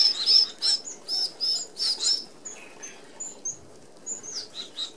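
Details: Flock of Red-browed Finches, an Australian native, feeding at an open aviary feeder with 25 mm mesh that keeps out sparrows; high, thin short calls and squeaks come in loose bursts, with soft wing whirring between them.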